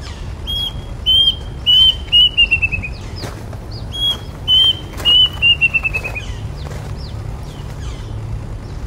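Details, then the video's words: Plaintive cuckoo sings twice in the rain: a high held whistle, then a run of clear notes sliding steadily downward, over a steady hiss of rain. "Plaintive cuckoo singing in the rain"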